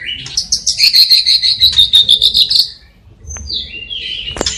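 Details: White-rumped shama in lively song filled with copied calls of sparrows, fighting lovebirds and kapas tembak, from Cililin: a fast run of bright high chirps, then separate whistled notes and a sharp rising note at the end.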